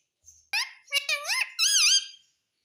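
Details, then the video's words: Talking pet parrot imitating words like mitthu and mummy; a rapid run of high, nasal, speech-like syllables with bending pitch, ending in a longer wavering note. "Talking parrot - Bolne wala mitthu - mitthu mitthu 🦜 Mummy bolne wala tota - papa bolunga"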